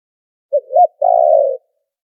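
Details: Trapping lure recording of a spotted dove with noise removed: a single phrase opening with a quick coo and a bent note, ending in a sustained purring croo, deep and gentle.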